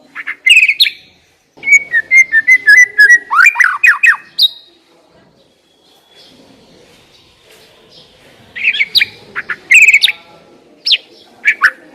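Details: Lure recording of a white-rumped shama to prompt a bird to sing freely: bursts of rapid whistles and harsh chattering notes, a fast repeated series, a near-silent middle stretch, then more loud varied phrases.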